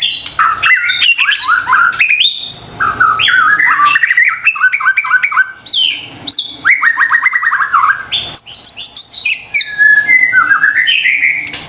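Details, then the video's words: White-rumped shama song meant to provoke a stressed or quiet bird into song: dense, rapid chattering run of varied whistles, trills and harsh squawky notes, with fast stuttered series and rising phrases throughout. "PANCINGAN murai batu STRES dan MALAS BUNYI seketika LANGSUNG nyaut dan GACOR dengar suara INI"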